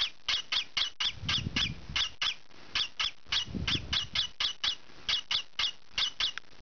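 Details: Young green pied peach-faced lovebird scratching and calling noisily indoors: fast series of squeaky, buzzy chips about four a second, with soft low scratching rustles between them.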